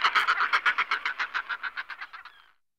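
A Northern fulmar gives a harsh, croaking cackle of about seventeen rapid notes over two and a half seconds, fading toward the end.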